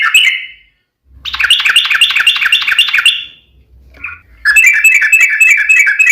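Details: Yellow-vented bulbul producing its long rapid trill, called ropel panjang, as a lure for other bulbuls to sing. Fast buzzy rattles of about two seconds are separated by a short gap and a single bubbly note.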